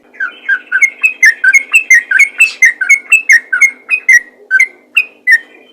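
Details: Lively yellow-vented bulbul of the fighter type, kept to call in other bulbuls, giving a steady flow of rounded whistled notes, some rising and some falling, slowing slightly near the end.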